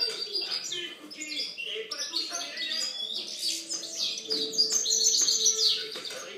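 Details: Goldfinch song recorded in 2013, delivered as quick bursts of bright, high chirps and trills, roughly three or four notes per second, with soft lower tones beneath.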